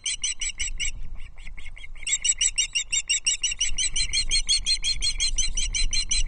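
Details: Three Osprey chicks at Loch Arkaig compete for a large trout brought to the nest on 13 June 2024. Piercing squeaks repeat in fast series, dropping briefly to sparse notes before building into a continuous rapid run.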